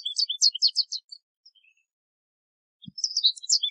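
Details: Outdoors, an American goldfinch gives loose clusters of high, squeaky twittering notes, falls briefly silent apart from a soft low knock, then resumes quick bright chirps.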